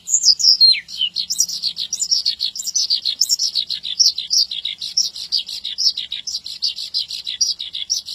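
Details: Javan bush lark in lively, nonstop song for training other larks: a dense stream of high buzzy, chirping notes in quick succession, with occasional sweeping whistles dropping in pitch, delivered in a steady pulsing rhythm.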